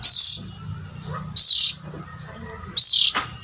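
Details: Call of an oriental magpie-robin, played to lure adult birds: three bright, rising whistled bursts about 1.3 seconds apart, with a low droning hum underneath.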